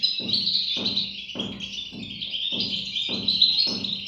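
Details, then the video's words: European goldfinch chicks giving a dense, continuous high chorus of thin, buzzy, wavering chirps, while soft low thumps repeat steadily about every 0.6 seconds underneath. "صوت فراخ طائر الحسون"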